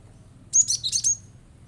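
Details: Cinereous tit blasting its rapid provoking song to make other birds join in; one quick burst of four piercing, high chirped notes lasting under a second, against faint low hum.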